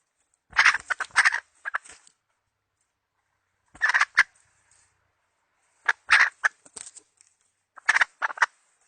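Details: Decoy hen chicken calling to lure birds for trapping, 2020 season: four bursts of harsh, broadband clucking and cackling notes, each lasting about a second and spaced roughly two seconds apart, with silence between them.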